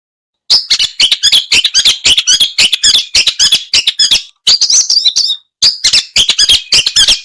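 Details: Long-tailed shrike singing in a home yard and rice fields, recorded 16 May 2022 on a Samsung M30 phone: a continuous, rich, varied warble of rapid chattering high notes in long phrases broken by two short pauses.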